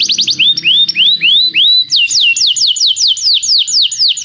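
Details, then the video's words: Canary training song: slow sequence of rising, upswept whistles that gives way to a brisk series of sharp descending notes, with faint low background sounds early on. "professor para o seu canto canário em breve - o melhor treinamento canário"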